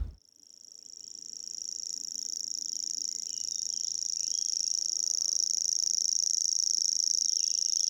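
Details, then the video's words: Common grasshopper warbler at Gibraltar Point, Lincolnshire, where two to three pairs nest, reels a continuous, high, insect-like trill, steady and unbroken throughout, with faint background birdsong below. "It's like an insect trill, a bit like a grasshopper,"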